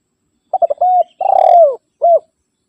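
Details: One spotted dove phrase meant to call rivals and lure wild birds: stuttering short coos lead into a held coo, a long vibrating coo that drops away, and a final brief note. Clean, silent surroundings.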